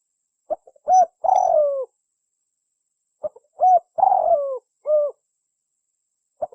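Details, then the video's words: Spotted dove (tekukur) cooing as a bird-trapping lure: two matching phrases about three seconds apart. Each has soft lead-in notes, a short coo, a drawn-out rough falling coo, and a closing rounded coo. "Suara pikat burung tekukur / Derkuku / Deruk"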